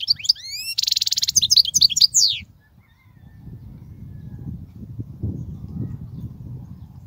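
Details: European goldfinch song for tutoring young goldfinches: a quick burst of high sliding whistles and a dense buzzy trill in the first two seconds, then only low rumbling background noise.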